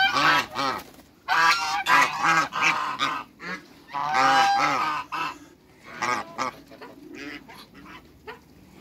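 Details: Couple of African geese calling in a backyard with other waterbirds in Greece: harsh, rasping honks repeated rapidly in overlapping runs, some drawn out and others clipped, fading into scattered shorter honks.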